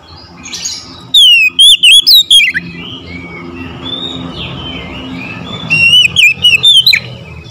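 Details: Morning singing by an Oriental magpie-robin, two vivid bursts of fast, swooping whistled notes separated by several seconds of quieter chirping and low rumble.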